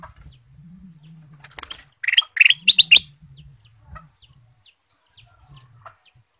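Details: Male sooty-headed bulbul in lively full song, used as a lure: a short burst of bubbly, chirpy notes clustered around two seconds in, then faint thin down-slurred whistles scattered through the rest over a low steady hum.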